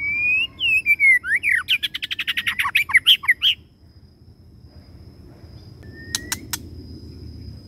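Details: Male white-rumped shama kept as a lure bird, delivering a long drawn-out song: clear slurred whistles sliding downward, then a fast run of sweet, varied warbling notes, followed by quiet with a steady high tone and a few sharp clicks.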